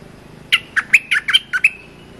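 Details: Cream-vented bulbul training song for young birds: one short phrase of seven quick chirpy, slurred notes, each dropping or rising between mid and high pitch, lasting just over a second, with a faint low hum behind.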